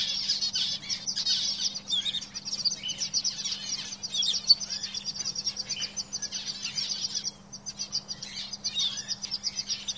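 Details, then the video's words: Ten seconds of several caged canaries singing at once, continuous high chattering trills and chirps overlapping, quieter in places, with a steady faint hum. "Birds Singing in Cage - Canaries"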